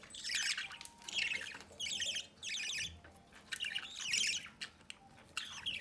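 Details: Budgerigar pair feeding their young at the nest doorway, with rasping, warbling squawks in bursts of roughly a second separated by short pauses, some faint quieter chatter between.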